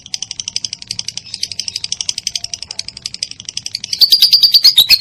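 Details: Lovebird in long ngekek chattering, a recording meant for training songbirds like cendet, murai batu and cucak ijo: a dense run of quick high scratchy notes, somewhat uneven, ending in louder, clearer rhythmic chips near the close.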